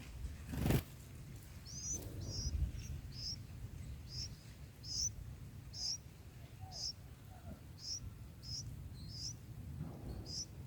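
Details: Bulbul nestlings, four days old, being fed by a parent in the nest, give thin, high, squeaky begging chirps about twice a second over a steady low rumble, with one loud thump near the start.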